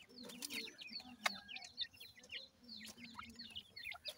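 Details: Grey francolin chicks feeding: faint, thin chirps, often downslurred, in loose groups, with a low hum and a few soft clicks.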